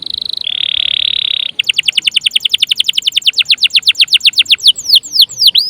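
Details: Canary singing in full form, used to spur other birds to sing: a steady high whistle, then a fast run of about thirty repeated rising chirps that speed up and end in sweeping slurred notes.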